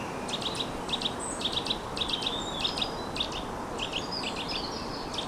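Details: Eurasian nuthatch calling overhead in a UK park on 21 February at 15°C, giving loud, clipped whistled notes in quick groups of two or three, about two groups a second, over hiss with great tits, blue tits and goldfinches faintly calling.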